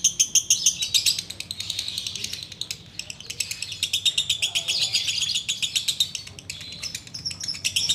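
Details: Sooty-headed bulbul delivering ngekek song, rapid high-pitched pulsed chatter that rises and fades in loudness, with a short lull near the third second before the cackling resumes strongly.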